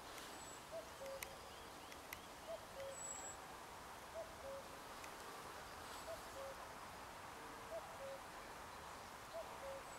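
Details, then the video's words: Common cuckoo singing in spring: clear two-note cu-coo, the second note lower, repeated about every one and a half to two seconds, six times, over steady background hiss with faint high calls of other birds. "Chant du Coucou gris"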